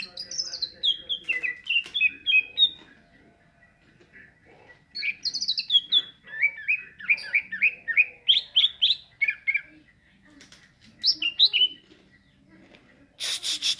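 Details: Greater green leafbird in ngentrok singing style, delivering quick, varied phrases of descending slurred whistles and rapid chirp runs, separated by short pauses, with a loud harsh noise burst at the end.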